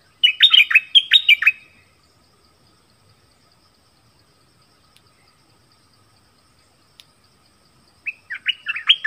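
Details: Nok dok taeng dueling in song with wild birds. A rapid string of sharp, descending chirps opens the recording, then a long silence, then another chirpy burst begins at the close.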